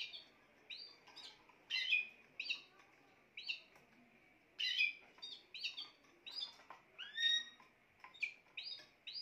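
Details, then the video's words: Spanish timbrado canary song: short bright chirps and trilled phrases in quick irregular bursts, some rising sweeps, with a steady faint high hum underneath. "chant des oiseaux timbrado espagnol"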